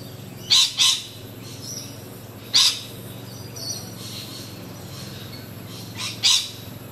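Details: Rainbow lorikeet (Trichoglossus moluccanus), one of a group in low branches, gives harsh, grating screeches, single or in quick pairs, a few seconds apart, with fainter chatter from other birds between.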